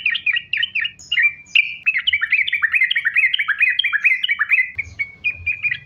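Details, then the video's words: Lure recording of a sooty-headed bulbul in sambung ropel style, meant to make bulbuls sing: a long unbroken run of quick, looping chirped notes, about two per second and faster, ending in a few separate whistled notes. "Trucukan Gacor, Sambung Ropel,Ini Ampuh Buat Pancingan Trucukan Agar Bunyi"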